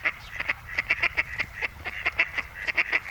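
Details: At the San Lázaro seafront in Noia, two male mallards court one female in the breeding season, producing a steady string of short, bright nasal notes, several each second, with no other clear sound.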